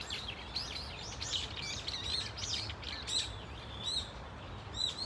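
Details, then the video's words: A group of Brown-eared Bulbuls at Dunsan Grand Park calls with high, swooping, piercing notes tumbling together in a steady jumble, over a soft low background drone. "직박구리 무리 다양한 울음소리 Brown-eared Bulbul sound of crying"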